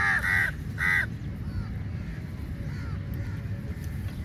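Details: Crows at feeding time, a big flock going for food: three loud, rasping caws open the moment, then only faint distant calls remain under a low rumble.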